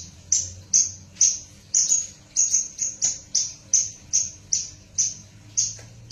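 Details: Cross-bred bush lark (Java female x parfa male) repeating short, very high sharp notes about twice a second, each with a brief buzzy edge, over faint low hum.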